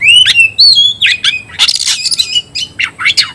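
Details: White-rumped shama shouting a fight challenge to a rival, beginning with loud sliding whistles, then a harsh noisy burst and several sharp, downward-swept chips.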